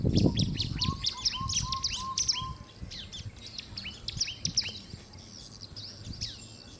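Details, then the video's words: Bar-winged prinia (Prinia familiaris) giving a busy run of high, sharp chirps and trills, with a short series of soft, low whistled notes early on and faint background noise. "Burung Perenjak Jawa/Ciblek (Prinia familiaris)"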